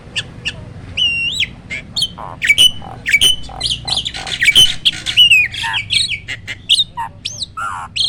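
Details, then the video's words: Loud roll tembak song from a hybrid starling, a cross of pied and black-winged starlings used to tutor other birds: rapid harsh squawks mixed with piercing rising and falling whistles, almost continuous. "BURUNG JALAK HYBIRD || GURU VOKAL SUARA ROLL TEMBAK."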